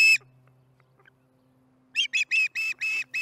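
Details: Osprey calling at its nest during dinner, July 15, 2019, 4:30 pm MDT: one short note, a quiet pause, then a run of loud, high, harmonic whistled chirps repeated in quick succession, with a faint low hum beneath.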